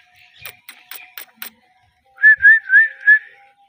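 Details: Pet Indian ringneck parakeet pair: a few soft clicks and taps, then four loud whistled chirps in quick succession, each curving upward, over a faint steady hum.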